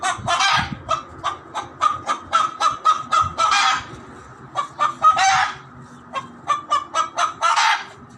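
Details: Loud chicken noises: repeated harsh, honk-like squawks in fast runs, with a few drawn-out, raspy squawks around the middle and near the end. Short quiet gaps separate the bursts.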